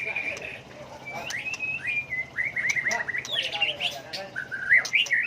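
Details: White-rumped shama singing many different phrases in turn, used to incite birds into song contests; drawn-out whistles slide into warbled notes, closing with brighter twittering.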